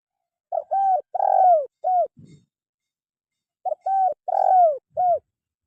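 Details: Spotted dove calling, used as a tutor recording for caged birds that sing too little: two cooing phrases, each a short note, two rounded coos and a long falling coo with a short ending note, about three seconds apart, with a brief low rustle between.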